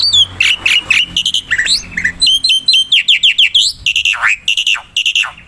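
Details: Lively wild black-winged myna song, a lure recording: a varied jumble of squawky, whistled and harsh notes, some sweeping steeply up or down, delivered in quick phrases with no pauses.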